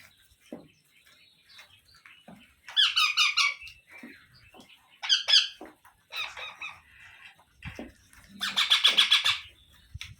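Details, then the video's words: Young rose-ringed parakeets being fed by a parent give harsh, raspy, rapidly pulsing squawks in four bursts of about a second each, with softer scratchy notes between them. "Baby Parrot Sounds"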